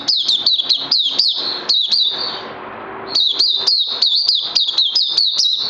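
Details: Oriental white-eye singing on 31 May 2020, day 2 of combined Lava and Life Force supplements: rapid high chattering with crisp upswept notes. Near the middle it breaks off for about a second into soft hiss, then resumes just as fast.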